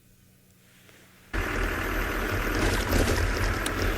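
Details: Quiet low hum gives way abruptly to loud, rushing broadband noise like a running vehicle or water, with no animal calls.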